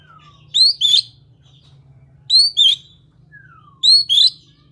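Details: Oriental magpie-robin song: loud high double notes, upward-swept whistles with sharp overtones, repeated in three bursts about every 1.7 seconds, with a soft descending whistle between, over a low steady hum.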